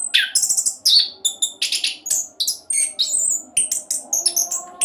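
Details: Rapid, rolling song of an orange-headed thrush serving as a lure for other songbirds: very high chirps and thin whistles in quick clusters, sharp staccato notes with short breaks, some low hum underneath.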